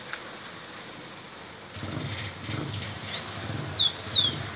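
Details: Rufous-collared sparrow heard after a burst of scratchy noise, delivering a rising whistle then three clear downslurred notes near the end, the last cut short.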